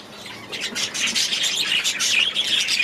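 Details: Short burst of budgerigar chatter from an aviary: high, scratchy warbling and chirps that build from soft to steady loudness.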